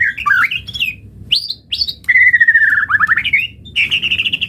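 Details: White-rumped shama singing as a training lure to get other birds singing: jumbled quick chirps, two high sweeping whistles, a long level whistle sliding down, then rapid repeated notes ending in a buzzy trill.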